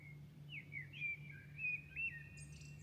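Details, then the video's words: In Milan at dawn, a bird sings clear whistled notes that swoop and waver, linked into a flowing phrase and ending with a high thin trill, while a low hum runs underneath. "Singing night Milano birds at dawn"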